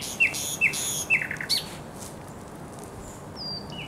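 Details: Thrush nightingale at the Żerań Canal, 24 April 2022, in spring: three loud, sharp, falling notes about half a second apart, a brief chatter, then faint thin whistles.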